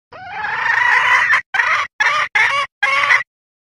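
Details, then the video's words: Female red junglefowl calling to mate, used as a hunting lure: a long harsh, nasal call with rich harmonics that swells in loudness, followed by four short clipped bursts of the same rough tone in quick succession. "SUARA PIKAT AYAM HUTAN BETINA minta kawin"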